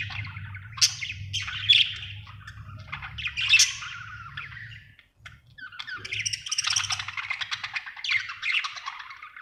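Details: A happy budgerigar produces scratchy twittering phrases, briefly falls quiet near the middle, then breaks into a louder, busier stretch of buzzy chatter; low hum underneath.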